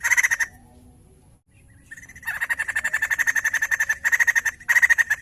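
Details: White-crested laughingthrush in full song: after a short opening burst and a pause, a long fast run of harsh, evenly pulsed notes, broken by brief gaps, over a quiet low background.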